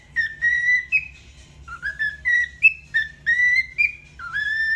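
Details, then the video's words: Pet cockatiel singing in a bathroom: a series of clear whistled notes with bright harmonics, mostly level, some sliding upward, in short phrases with brief gaps, over a faint low hum. "Singing in the bathroom Cockatiel"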